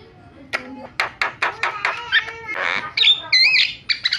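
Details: Starling (jalak) lure calls played to get silent starlings calling: a series of sharp clicking notes, a harsh rasp, then looping whistled phrases near the end.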